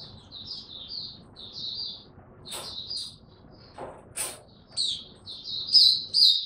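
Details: Oriental white-eye ramping up its form with an opening 'tiong aw' style song, 3 January 2022: short high, sweet chirping phrases come in scattered bursts, broken by a few sharp clicks and thuds midway, then grow louder toward the end.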